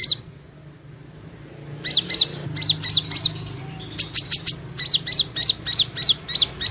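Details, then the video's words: Van Hasselt's sunbird training song: after a brief quiet start, a fast, steady series of high, sharp, bouncing chirps, about three per second, with a burst of thin ticking notes in the middle. "Suara Burung madu pengantin (Leptocoma sperata) Kolibri Ninja Konin Latihan Gacor Gantang"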